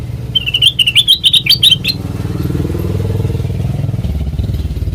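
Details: Sooty-headed bulbul song, offered as a lure for training other birds: a quick run of sharp, chirpy whistled notes lasting under two seconds, then stopping while a steady low motor rumble continues throughout.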